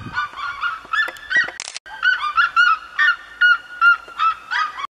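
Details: Red-legged seriemas in the Serra da Mantiqueira giving a run of loud yapping notes, about two to three per second, briefly broken by a sharp hissy burst before the yelping resumes.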